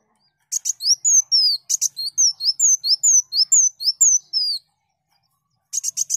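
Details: Sunbird singing energetically, recorded to train other songbirds: a fast run of high, thin downslurred whistles interleaved with dry rattling chirps, about two per second, then a pause and a short chirp burst.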